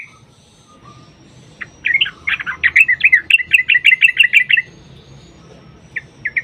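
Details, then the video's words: Lure song of a sooty-headed bulbul: after a quiet start, a fast even series of about a dozen sharp repeated whistled notes, then two short notes near the end. "Pancingan Trucukan agar bunyi jadikan Burung Trucuk Gacor EMOSI"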